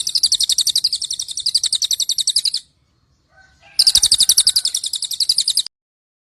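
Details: Cililin bird, a lure for daily and contest training of songbirds; two runs of rapid, high, rattling chatter, about eight notes per second, the first nearly three seconds long, a pause, then a second run.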